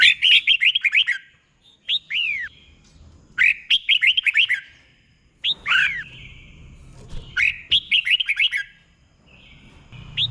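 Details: Tutor song of a caged red-whiskered bulbul for training birds, Thailand: fast phrases of about six sweeping whistled notes, each ending in a long downward slur, repeated roughly every two seconds.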